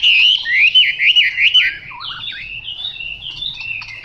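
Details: Chinese hwamei song: loud, rich warbled whistles rising and falling for about two seconds, then softer trilled and slurred phrases with a few short clicks near the end.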